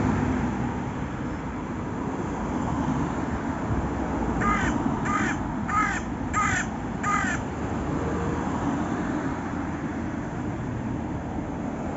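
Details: Raven crowing: a tight run of five harsh, grating caws at an even pace, surrounded by a long stretch of steady windy noise.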